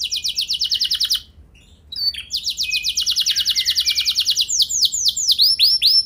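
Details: Canary in long rolling song, used as a lure to get other canaries singing: fast repeated trill, a brief pause, then an extended rapid trill of descending notes ending in broad sweeping whistles.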